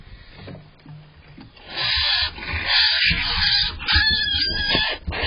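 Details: Barn owls at night around dawn on 5 April 2023, with a male bringing prey to a female, give harsh, breathy, drawn-out hissing screeches in rough bursts after a quieter start with faint rustling.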